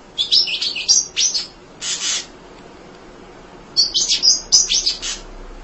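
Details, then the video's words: Tireless munia song meant for training other songbirds: a quick cluster of high twittering chips, then a short buzzy note, a silent gap of almost two seconds, and another rapid cluster of high chirps. "Kicau Emprit Ngoceh Tak Kenal Lelah Untuk Masteran"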